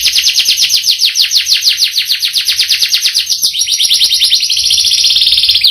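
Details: Canary with a rich repertoire delivering a long rolling phrase: a rapid, pulsing high trill of about eight beats a second flows without a break into a smoother, near-continuous ringing roll.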